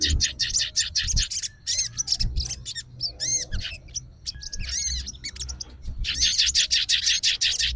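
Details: Captive fighter sooty-headed bulbul, agitated and answering another bird's song while calling out to a rival. It gives dense bursts of rapid high chattering notes, then a few separate arched ringing whistles, then another fast chattering run.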